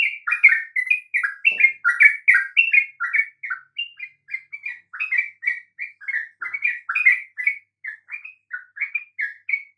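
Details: Sooty-headed bulbul song intended to coax other birds to sing: chattering whistled notes in dense clusters at first, then spacing out into single bright notes, with a faint knock early on.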